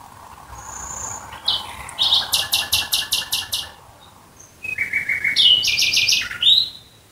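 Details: Nightingale singing at night near Dresden, Germany: a pulsing series of about eight loud, harsh repeated notes, a brief pause, then a second phrase of rapid chirps and a bright ending note.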